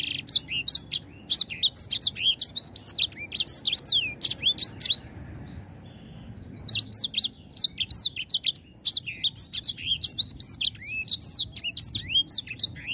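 A grey singing finch sings a fast, high, sweet twittering warble of quick rising and falling notes, pausing briefly before resuming.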